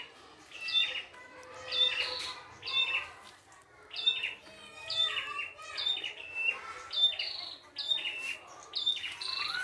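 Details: Wild red-headed prinia singing nonstop, full of varied phrases: repeated chirpy phrases with a sharp high whistle and dropping buzzy notes, about one burst per second, with a faint lower note beneath.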